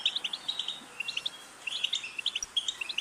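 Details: ['European goldfinch giving clipped, sparkling chirps in short bursts of three to five notes, separated by quiet gaps, fairly soft and even in pitch.']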